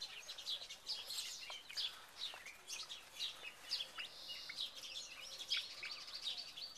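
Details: Second-generation Buff Orpington chicks moving about in a big cage in May 2011, giving many overlapping high, thin peeps in a continuous busy chorus.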